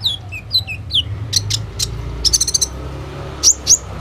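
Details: Kolibri ninja (Van Hasselt's sunbird) in captivity, singing with imitated phrases to draw song from other birds, captured on a phone: descending whistled chips, then short high rattles and two sharp rising tweets.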